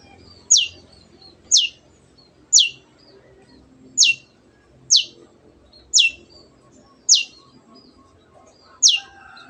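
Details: Shrike (cendet) repeating sharp, high falling chips roughly once a second, eight in the sequence with a slightly longer pause near the end; meant to set other birds singing.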